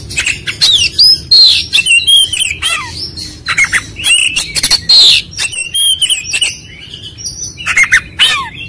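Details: Oriental magpie-robin song, used as a lure to draw a quick, agitated response from other birds: rapid, varied whistled phrases, sharp rising and falling notes and harsh chattering bursts, densely packed with brief pauses.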